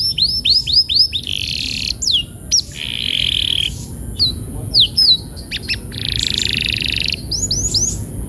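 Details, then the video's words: Canary song used as therapy to encourage rolling: scattered sharp downslurred chirps broken by buzzy rasping trills, with pauses between phrases. "Kenari gacor‼️terapi burung kenari agar cepat ngeroll"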